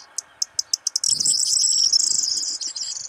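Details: Corn bunting male in breeding excitement singing around and on top of a hide one morning: a few separate ticking notes speed into a dry, jangling high-pitched rattle lasting about two seconds, with low rustling beneath.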